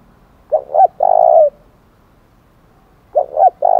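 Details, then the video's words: Spotted dove calling in the thổ đồng style to challenge rivals to fight; two phrases, each two quick coos followed by a long drawn coo, spaced about two and a half seconds apart. "tiếng chim cu cườm THÚC đấu vang cả buôn làng"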